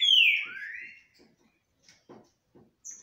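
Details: Captive green-winged saltators singing face to face without fighting; one gives a loud, rich whistled phrase sliding down then up, followed by faint soft ticks and a brief high note.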